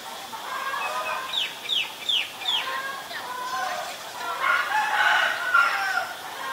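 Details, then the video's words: Asian koel, a male and female pair: four sharp, hooked notes arrive about a third of a second apart. A longer, harsh, broad crowing-like call follows, sounding like a rooster in the background. "นกกาเหว่าตัวผู้และตัวเมีย (Asian koel, Male, Female)"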